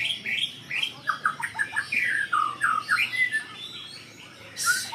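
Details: Agitated white-rumped shama reacting to a rival, pouring out a varied song of quick whistled phrases, slurred up and down notes and short chips in rapid succession, ending with a sharp hissing burst.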